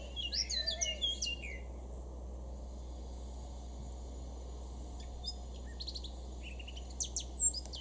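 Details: Male Eurasian blackcap recorded in a garden at Weener, East Frisia, Germany, in June 2022: a quick burst of high, varied warbled notes at the start, then sparse chirps, with constant low hum behind.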